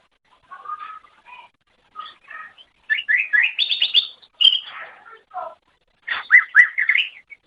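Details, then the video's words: Masteran song of a greater green leafbird (cucak ijo) for training songbirds. Low warbled notes build into rapid rising chirps, then scattered twitters and a final bout of looping whistled phrases. "Ocehan Suara Burung Cucak Ijo"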